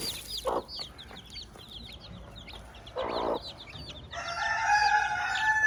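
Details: Hen and her chicks on a farm: rapid high chick peeps, two short low clucks, then a loud drawn-out rooster crow closing the recording.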